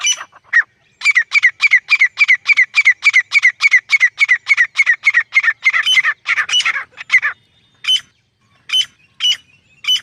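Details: Grey francolin: a fast, even series of about twenty harsh, squealing notes, several per second, that turns ragged, then a few scattered separate notes after a short quiet gap.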